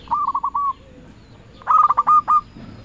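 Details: Two rolling cooed phrases from a local zebra dove used as a lure to call rivals, a softer run first, then a louder, sharper one after a short pause.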